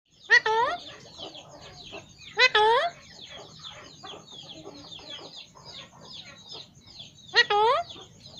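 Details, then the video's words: Pet talking parrot whistling: three loud, clear, rich whistles that rise and then slur down come at roughly two-second and five-second gaps, with softer chattering, squeaky notes and a steady high faint tone between them. "Talking PARROT &🐦😍💚 whistling"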